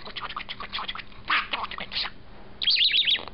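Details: Pet male budgerigar, one year four months old, perched on a person's shoulder and murmuring to itself in a good mood: rapid scratchy chatter, then a bright warbled twittering phrase near the end.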